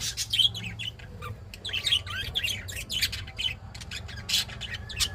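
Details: An adult budgerigar chirps happily in quick, scratchy chirps and warbles, a sign of a contented bird.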